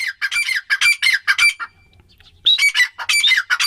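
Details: Female grey francolin (teetar) calling: harsh, squawky notes in quick bursts, a short pause near the middle, then another run of rasping notes. The notes are fairly high and strongly harmonic, with a faint low hum underneath.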